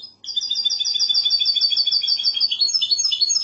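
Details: Goldfinch hybrid (mixto) in classic Andalusian song style delivering a continuous rapid, rolling high trill of tightly repeated notes, shifting to a slightly different rhythm near the end.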